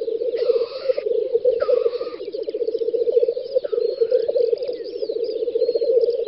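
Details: Lekking black grouse on a spring field, Volga federal district, Russia, May 2019: rhythmic low bubbling throughout, broken by two loud one-second hissing sneezes early on and faint high whistles later.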